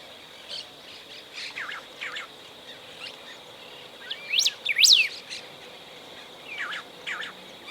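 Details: Song of a Golden-billed saltator from Esperanza in Argentina's Santa Fe province, 2020: faint scattered chirps, then a loud pair of sharp, high, up-and-down whistled notes midway, followed by softer notes.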